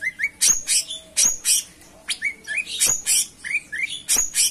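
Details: Cucak cungkok in full song, mixing high sharp chirps with lower rising whistled slurs in quick, irregular succession over a faint background hum.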